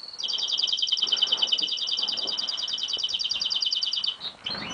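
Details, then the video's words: European goldfinch x canary mule singing vigorously: a fast, high, rolling trill lasting about four seconds, then a few brief chirps against a quiet background. "Szczygieł x kanarek - jurny śpiew"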